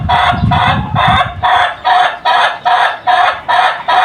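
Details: A chicken's long crow, a rapid laughing series of harsh, even pulses, a bit more than two per second, running on for the whole four seconds, with low rumbling noise beneath the first part.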